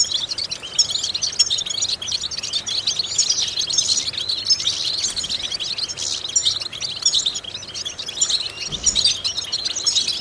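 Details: European goldfinch song used as a vocal exercise to stimulate and train goldfinches: dense, rapid high twittering with tinkling notes and buzzy trills, continuous for about ten seconds, with a steady faint background hiss.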